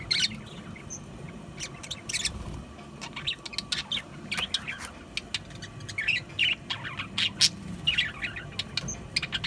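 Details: Budgies call with scattered sharp ticks and thin squeaky chirps, sparse at first and then busier. Low rumbling noise runs throughout.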